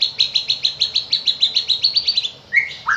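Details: White-rumped shama song for morning and afternoon, meant to provoke other shamas to sing: a fast even series of about eighteen sharp chip notes, then two lower whistled slurs after a brief gap.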